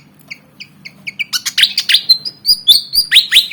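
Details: Javan fantail, black and white, around 19 cm, eager to fight: soft spaced chips quicken into loud, ringing, rising and falling notes delivered in a rapid excited string.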